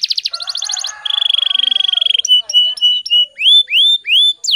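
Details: Canary in fast, dense 'gacor speed rapat' style, recorded as lure and tutor song for training other canaries: rapid buzzy chatter, then a long steady high trill, then clipped notes and repeated rising slurred whistles about twice per second.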